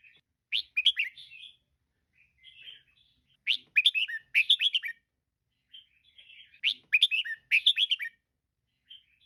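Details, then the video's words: Female red-whiskered bulbul, recorded for playing to caged birds to liven them up, gives bursts of sharp, chirpy two-toned notes in quick clusters about every three seconds, with softer warbling notes between bursts; no other sounds. "เสียงนกกรงหัวจุกตัวเมีย แก้นกดร็อป นกไม่เล่นราว"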